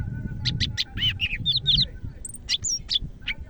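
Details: Greater green leafbird from Medan in full song, delivering rapid bursts of bright whistles, quick downslurred notes and thin high squeaks in a varied, hurried sequence, with a faint low hum behind.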